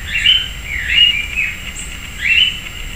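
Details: Sayaca tanager, a common urban bird, visiting a persimmon tree in a residential backyard in Piracicaba, São Paulo, Brazil; three squeaky, slurred notes rising and wavering, roughly one every second, over light background hiss.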